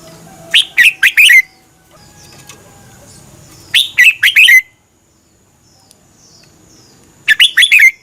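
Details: Caged Red-whiskered bulbul in Thailand repeating a doubled song for young birds to copy: three phrases of four or five quick whistled notes, each phrase about a second, roughly three seconds apart, with faint background chatter.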